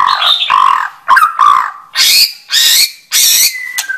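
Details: White-rumped shama singing in a clear recording: low mellow whistles and warbles at first, then three loud harsh rasping bursts evenly spaced, followed by a short thin whistle.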